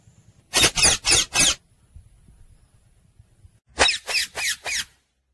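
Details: Talking parrot giving two runs of four harsh, raspy squawks in quick regular succession, with a quiet pause between the runs and a faint background hum.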